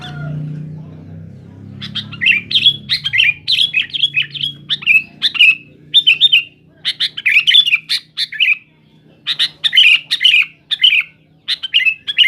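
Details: Noisy Sooty-headed bulbul song aimed at rivals: short bursts of bubbly, slurred chirps repeated with brief pauses, each burst a cluster of quick notes, with a faint hum at the start.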